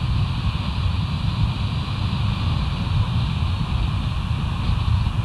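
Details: Steady, dense hum and rumble, like wind and machinery, fills the whole stretch without any animal call.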